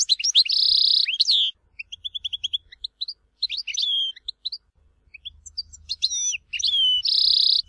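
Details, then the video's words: Goldfinch in the Tizi Ouzou song style of Algeria: a harsh buzzy trill, a string of quick pips, twittering slurs, then the buzzing trill returns near the end, all crisp and high. "تغريد حسون تيزي وزو (كامل المقامات)"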